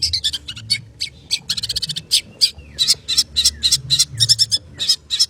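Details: Long-tailed shrike pouring out rapid 'konslet' song, tightly packed harsh, buzzy high notes and squeaks in fast bursts with only brief gaps.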